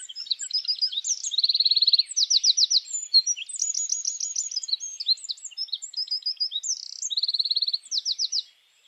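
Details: A Eurasian wren sings its mating song in a spring forest: a loud, high, rapid song of sharp notes and fast rattling trills, running almost unbroken for nine seconds.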